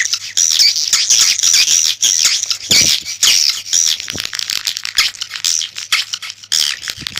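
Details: Swiftlets giving a call sound used to lure birds: dense, high, buzzy twittering of many overlapping chirps, a steady crackling chatter with brief dips roughly every second.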